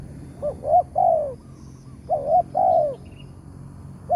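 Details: Spotted dove in the wild at morning, a trapping target praised for its big 'tarik akar' voice, approached with a decoy. It repeats soft three-note coo phrases, each ending in a long downward-sliding note, about every two seconds.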